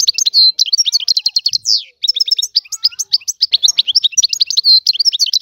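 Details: European goldfinch, described as a free Algerian bird, pours out a continuous high, rapid twittering song mixing clipped chirps, buzzy rasps and drawn-out whistled notes over a quiet background.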